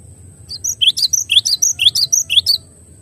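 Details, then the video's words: Cinereous tit (glatik batu) song used as clear tutoring recording: quick series of high two-part notes, a sharp downward stroke then higher whistles, about two per second, with a steady thin high tone behind. "MASTERAN JERNIH GLATIK BATU HANDAL"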